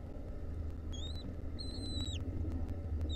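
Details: Wild lesser kestrel nestlings with a centipede on them, 2023: a short rising whistle, then a longer level whistled call that drops sharply at its end, over a rumbling background.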